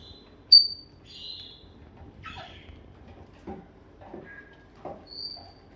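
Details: Pet grey parrot giving a loud high whistle, then a buzzy squawk, scattered lower voice-like sounds and a final clear whistled note, with faint room noise beneath.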